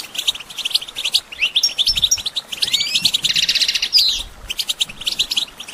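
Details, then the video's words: European goldfinch singing as a training aid for songbirds: tumbling high twitters and chirps, slurred rising whistles, a buzzy rattling trill in the middle and a sharp descending note, followed by more quick bright chatter. "Goldfinch Training With Stimulating Support for Songbirds"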